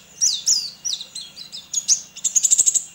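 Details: Caged white-eye from Sambas, West Kalimantan, Indonesia, singing for an online contest, fed banana and egg-food; high downslurred whistles, then a rapid run of bright repeated chirps forming a quick trill near the end.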